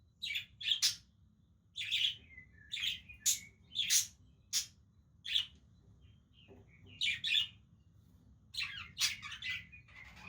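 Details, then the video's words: Parakeets playing with each other make repeated scratchy chirps and brief whistled notes in irregular clusters, with a soft pause midway before more chattering. "Beautiful Budgies playing with each other"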